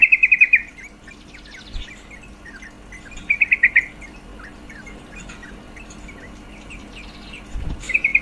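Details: Female yellow-vented bulbul, her call meant to heighten males' mating urge. Three brief runs of quick chattering notes are separated by scattered faint chirps, with a couple of low knocks in the background.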